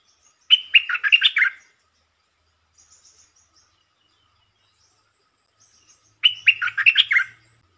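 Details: Two quick chattering song bursts from a red-whiskered bulbul, used as a lure bird and known for short songs: each burst is a dense run of warbled notes, with a few soft faint notes in the pause between.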